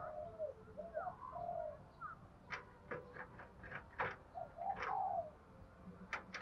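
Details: Spotted dove cooing to call and challenge a rival to fight, a lure recording from Vietnam. Low mellow coos with soft rolling notes, followed by sharp clicks and faint chirps in the background.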